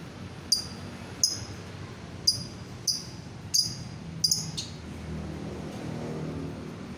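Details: A lovebird gives sharp, high, clipped chips, about six in quick uneven succession, then falls silent. The sound is meant to prompt other lovebirds to start singing. Faint low room hum underneath.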